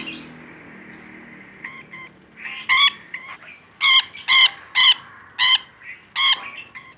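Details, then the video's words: Rainbow lorikeet calling hard: soft chatter at first, then loud, grating screeches repeated roughly every half second in a ragged series. "Suara Burung Nuri Pelangi Gacor"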